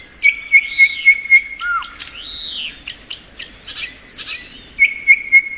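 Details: Thrush nightingale spring song: a string of evenly repeated bright pulses, a drooping low whistle, an arching slur, then further high whistled notes and another pulsed run.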